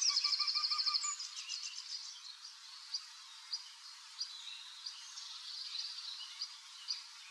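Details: A male Eurasian wryneck courting in Drenthe on 29 April 2024 calls from an old woodpecker hole to lure a female to the nest. He gives a fast run of about a dozen nasal, evenly spaced notes in one second, then faint scattered calls of other birds follow.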